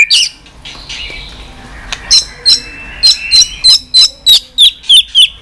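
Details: White-rumped shama calling continuously: a rapid, regular series of high, sharp chipping notes, roughly three per second, after a quieter stretch of soft warbling at the start.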